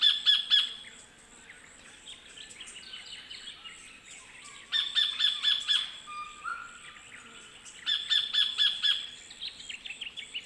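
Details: Sacred kingfisher in Wollemi National Park, Australian bush: three series of sharp, harsh 'kek' notes spaced roughly three seconds apart, mixed with squeaky scratchy chatter and a faint steady high insect-like hiss in the background.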